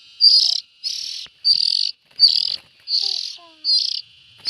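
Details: Raspy, hissing calls of young bulbuls, short noisy bursts of about half a second repeated roughly every second, with a few faint soft whistles behind.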